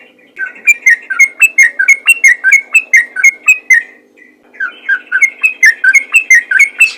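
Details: Yellow-vented bulbul, described as a fighter singing in a rapid, continuous 'ropel' style suited to luring other bulbuls; quick chain of bright, bubbly up-down whistled notes, about three per second, a short pause, then the chain resumes.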